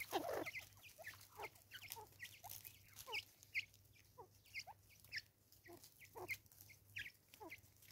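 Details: Natal spurfowl in South Africa giving its raucous call: a dense run of harsh, downslurred cackling notes overlapping one another, loud at the start then continuing unevenly, with a steady low hum underneath.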